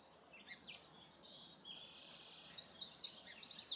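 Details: A Yellow Warbler at Oso Flaco Lake near Guadalupe, California, sings a bright, high phrase: soft lead-in notes build to a quick run of sharp, sweet slurred notes over a faint background hiss.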